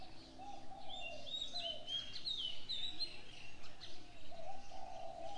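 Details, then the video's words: Morning birdsong: thin whistled phrases sliding high and bright, over lower mellow cooing notes and a steady background chorus of chirps. "Birds sounds on the morning 清晨鳥鳴"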